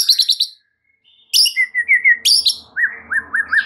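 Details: White-rumped shama singing as a provoking lure for other shamas: rapid high chattering notes, then a pause, then a string of whistled slurs, buzzy bursts and four short looping whistles repeated in quick succession.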